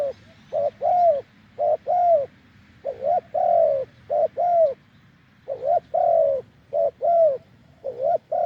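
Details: Spotted dove, a wild bird with a deep voice, calling at a decoy branch: a busy sequence of low mellow coos, alternating short upswept and longer falling notes, with few pauses.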